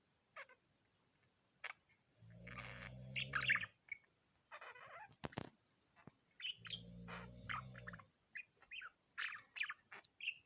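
A budgerigar chatters with quick, scratchy chirps and bright warbled notes in short bursts.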